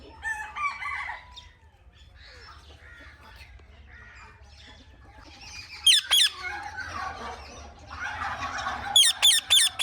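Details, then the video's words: Indian ringneck parrot chirping naturally, with sharp, shrill squeaky notes coming in short bursts near the middle and end. Earlier, softer, murky chatter and rustling sounds fill the background, with no music. "Indian Ringneck Parrot Natural Chirping Sounds"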